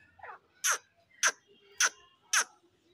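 Grey francolin giving a softer opening note, then four loud, harsh, screechy notes repeated about every half second, with a quiet background.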